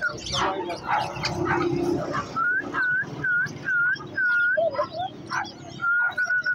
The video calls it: African grey parrot